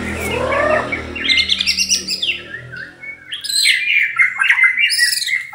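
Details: White-rumped shama (murai batu, 'kesra buntok'): a harsh opening note, then a rapid run of bright, high whistles and trills with chattering buzzy notes, continuous and varied, and a faint low hum beneath.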